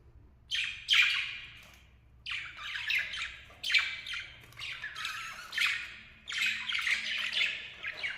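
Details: Pair of lovebirds calling: harsh, raspy squawks in bursts with short pauses between, a few louder shrill notes standing out, faint low hum underneath.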